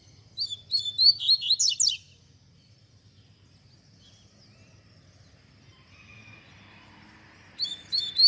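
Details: Tui tui zel zel song of a double-collared seedeater, meant as a teaching recording for young birds. A rapid phrase of high, slurred whistles opens the clip. Quiet follows with a faint hum and low background, then a short fragment returns at the end.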